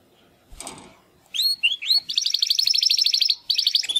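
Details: Young Timbrado canary, one of two brothers, attempting song after its first molt: a soft rustle, three rising whistled notes, then a fast even trill of repeated notes lasting over a second, a short pause, and another trill.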